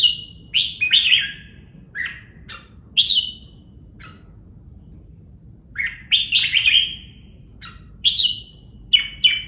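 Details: Red-whiskered bulbul singing from a training cage, feathers sleeked tight: a lively run of loud, liquid whistled phrases with brief pauses, each phrase rising then sliding down, repeated several times.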